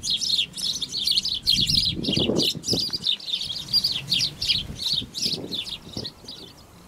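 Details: Black-tailed godwits, males fighting over a nesting territory in a meadow as females watch from a distance; loud, high chattering calls in quick repeated bursts, mixed with wing flapping and scuffling.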